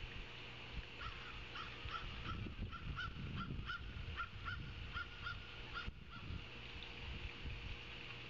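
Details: Ospreys calling at a nest in Savannah on 9 August 2023 around 16:05, nest camera; a quick run of about a dozen bright whistled chirps, roughly three per second, then fading, with low wind-like rumble and hum.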